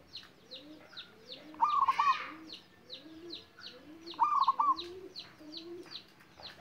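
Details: A young local zebra dove, still learning to sing, gives two short bursts of soft, rolling coos about two and a half seconds apart, over steady high chirping from other small birds.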